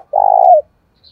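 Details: Spotted dove giving a fight-provoking coo used to lure wild doves: one loud, mellow, sustained note about half a second long that drops slightly at the end, then silence.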